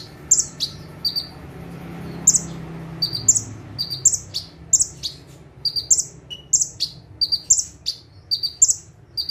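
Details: Bar-winged prinia singing actively in full 'tembakan' style while perched in one spot: crisp high notes in quick paired bursts, a lower note then a higher one, repeated about every second, with a faint low hum beneath.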